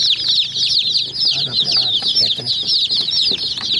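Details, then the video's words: A brood of hen chicks going after a tiny white toy jeep, chirping nonstop in high, bending peeps while a low hum and scattered tapping sound underneath. "Murgi Chicks Chirping Sounds"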